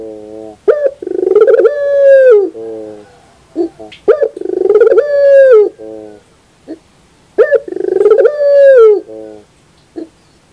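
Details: A morning puter pelung coo: three full phrases roughly every three seconds, each opening with short clipped notes, swelling into a long sustained coo that falls away, then a faint trailing hum.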